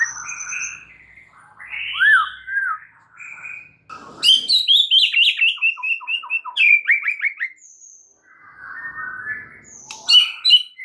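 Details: White-rumped shama singing for a tutor recording: soft warbled phrases, then loud clear whistles with rapid repeated chips and stuttering notes, ending in quieter warbling and high chips.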